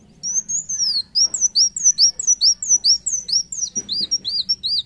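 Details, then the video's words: Gacor singing from a Van Hasselt's sunbird (kolibri wulung): a continuous run of high arched whistles, each swooping up and down, about three per second for nearly five seconds. "Kolibri wulung gacor"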